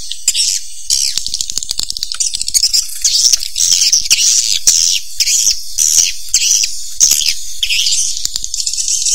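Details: Swiftlets calling in a dense, continuous chatter of high, rapid chirps and twitters, with bursts of clicking notes and no pauses across the whole stretch.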